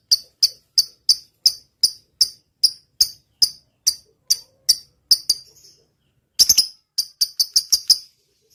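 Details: Lovebird in full voice, singing a long 'ngetik' (typing) style: sharp, high ticking chips repeated about every third of a second, a short pause, then a faster burst of chips.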